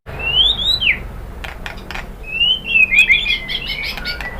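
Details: White-rumped shama song used as a lure to make other birds answer: clear whistled upslurs and downslurs near the start, then a faster run of varied whistled and twittering notes after a pause.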